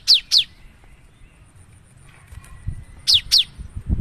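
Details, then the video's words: Cinereous tit singing in 'gacor nembak' fashion as a lure: two sharp downslurred whistles, a quiet gap with low rumbling, then another pair of the same falling notes. "Suara burung gelatik batu gacor nembak"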